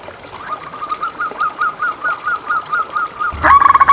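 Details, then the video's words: Perkutut, a local zebra dove, for training and luring doves: a soft even series of short coo notes about five per second, then a sudden louder rapid trill of notes at the end. "Suara Perkutut Pikat"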